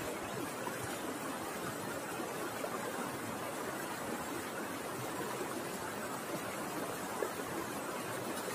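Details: Steady broadband rushing noise, like flowing water or static, throughout, with no animal voice.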